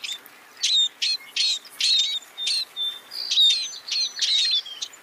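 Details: A scaly-breasted munia (Lonchura punctulata) gives a quick series of high, thin chirps and short whistled notes, about two per second, over a faint background hiss.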